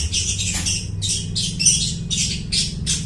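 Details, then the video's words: Long-tailed shrike in full song, mimicking other birds, recorded as a lure for bird trapping: harsh, scratchy bursts about every half second, high and buzzy, over a steady low hum. "suara burung cendet gacor niruin suara burung lai"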